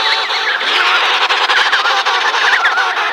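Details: Continuous clamour of many emperor penguins calling together while chicks are fed at Cape Washington, Antarctica; wavering, warbled whistles blend into a steady, loud din.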